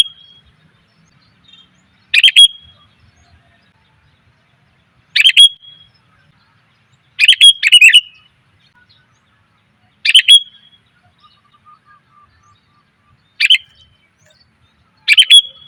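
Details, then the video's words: Female sooty-headed bulbul calling to attract males, used as a lure sound: short bright chirpy bursts, each a cluster of quick notes ending in a brief whistled tail, repeated about every three seconds against near silence. "suara pikat burung kutilang betina,TOP bangat memanggil pejantan"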